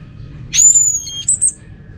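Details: Orange-headed thrush from North Bali, its song played to coax other thrushes to sing: a single thin, very high whistle that sweeps up then holds flat, ending in a couple of short piercing notes.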